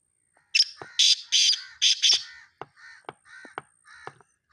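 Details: Partridge recorded around Charsadda: four or five loud, harsh, rasping bursts in quick succession, then a run of softer, lower, clipped notes trailing off over about three seconds.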